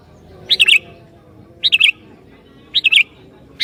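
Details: Singing sooty-headed bulbul, said to be good at provoking other bulbuls. It gives three rich, gurgling, warbled phrases about one second apart, each a tight cluster of liquid notes, over low background noise.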